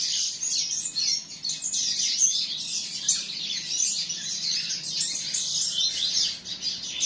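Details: Canary chick giving a long unbroken stream of high, fast twittering and trilled phrases, slightly varying in loudness, over a quiet background.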